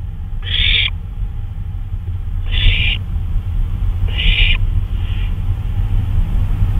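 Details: Owl out on a flyabout in the early hours, 2:39 AM, May 26, 2013: three strong hoarse hissing screams followed by a fainter fourth, spaced one and a half to two seconds apart, over a steady low drone.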